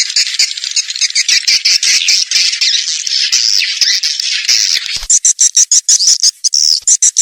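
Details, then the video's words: Lure sound of swiftlets for attracting young ones into a new building: harsh, high twittering chatter, then a rhythmic run of separate shrill chirps. "suara walet terbaru 2021"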